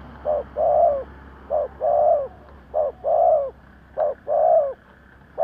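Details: Decoy spotted dove cooing to lure wild doves: four repeated pairs of a brief coo and a longer rounded coo, about one pair per second, over a low steady hum.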